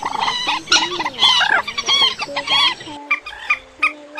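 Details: Migratory bird lure calls for night netting, including trích ré, quốc biển and mốc, March and August 2024: rapid clucking, cackling notes about twice a second, crowded together, then sparser sharp chips over a low steady hum.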